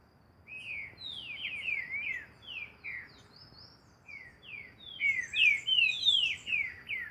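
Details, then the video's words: Green-winged saltator singing outdoors as training, repeated downward-slurred whistles building to a loud fast series near the end, with faint high twitters from other birds. "Trinca ferro Barão treinamento na natureza"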